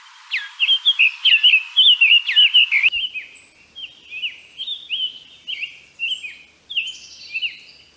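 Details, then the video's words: Sanhaço vermelho, a red tanager, singing a brisk run of short slurred chirps that dip and rise, closely repeated, loud and dense for the first three seconds, then softer and more spaced phrases. "PÁSSARO SANHAÇO VERMELHO"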